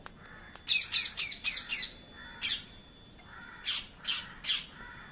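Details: A parrot gives a rapid run of about six harsh, grating squawks in under two seconds, then a pause and three more spaced harsh screeches, with softer repeated calls of other birds in the background.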